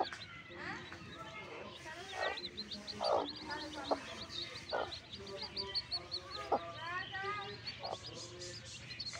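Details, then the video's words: High, rising and falling peeps from newborn backyard chicks overlap in a busy chorus, with a few sharp taps and some low background sounds. "Chicks Sound"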